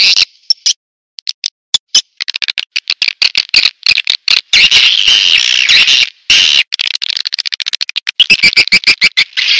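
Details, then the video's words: Swiftlet lure call: long runs of rapid dry clicks blending into buzzy high twittering, with a few brief silent breaks. "Suara Tarik Burung Walet"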